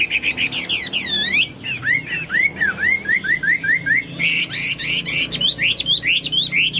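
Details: Chinese hwamei singing energetically (gacor), its song compared to cucak Papua or cucak mas; sweeping downslurred whistles, a series of repeated up-swinging notes, then dense bursts of rapid whistled phrases.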